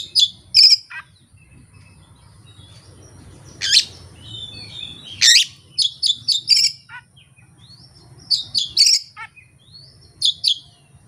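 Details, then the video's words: Kacer, the Oriental magpie-robin, pouring out its song repertoire with no tutor recordings or rival present. Short sharp chirps and clipped whistles come in scattered clusters, with brief quiet gaps and low background hum. "KACER JAYA SURYA NEKAT BONGKAR ISIAN TANPA MASTERAN DAN TANPA LAWAN"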